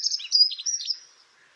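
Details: Grey wagtail on the Tállara river near Xei, Noia, giving a quick burst of high, sharp chirps and slurred tsit notes in close succession for about a second, then falling silent; otherwise quiet.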